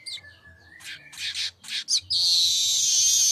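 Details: Streaked weaver (manyar kembang) ngecall song: a thin falling whistle, a few short scratchy bursts, then a long loud high buzzing trill held to the end.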